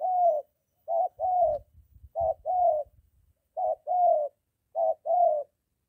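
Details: Spotted dove near home: a molting decoy bird in training meets a wild male; low paired coos with slight downward slurs, soft thumping rustles between the early calls.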